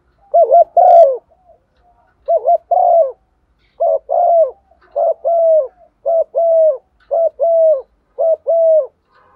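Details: Female spotted dove decoy calling males at morning: a steady run of about eight low, mellow coo phrases, each a quick wavering note and a longer falling one, repeated every second or so.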